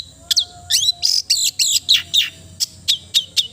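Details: Melodious long-tailed shrike song of harsh, buzzy, descending notes given in quick succession, followed by a few sharp, spaced downslurred chips.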